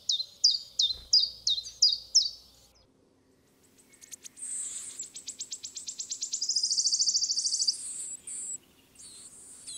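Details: Common chiffchaff (Phylloscopus collybita), a Russian forest bird, gives six high slurred notes in a steady chiff-chaff rhythm, about two each second; a different bird's fast, high trill follows.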